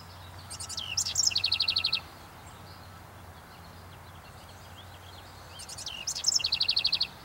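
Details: House wren in North America singing two bursts about five seconds apart, each a jumble of sharp, sweeping high notes followed by a fast, rattling series of repeated notes, with quiet outdoor hum between.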